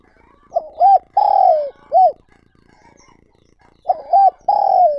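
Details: Lure call of a decoy spotted dove, meant to bring in wild doves: two phrases of quick double coos followed by a long downward coo and a short end note.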